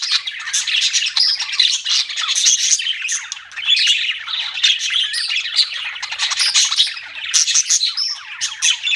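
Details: Lively budgie chirping: many quick, bright tweets and warbles overlapping steadily, with a few louder squeaks.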